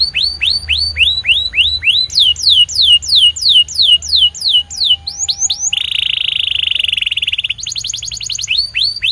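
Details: White canary repeating clear downslurred whistles about three per second, switching to a faster series, then a sustained buzzy tone and a quick high trill to finish.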